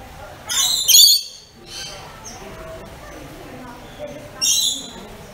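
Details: Rainbow lorikeet kept as a pet, calling with shrill, grating screeches: a doubled burst near the start and another about three seconds later, with quieter chatter between.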